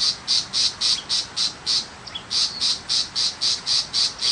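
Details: A rural tiger shrike, a non-mimicking shrike species, gives a long run of harsh, high-pitched pulses at a brisk regular rhythm. A short gap with a tiny chip breaks the series near the middle.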